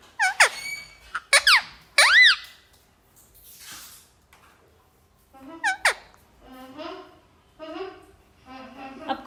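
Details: Talkative pet parrot indoors: sharp sweeping whistles rise and fall in quick bursts, then softer warbling speech-like notes come in short phrases with pauses between them.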